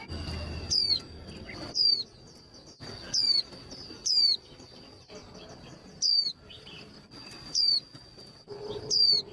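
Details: Female white-eye calling to fire up male birds for singing contests: sharp, descending whistled notes repeated roughly every one to one and a half seconds over a steady thin high tone, with faint rustling between calls.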